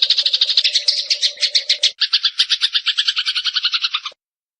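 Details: Eurasian tree sparrow song for songbird training: dense run of harsh chirps, then a second, steadier sequence of lower metallic notes lasting about two seconds before stopping suddenly; faint low hum in the first half.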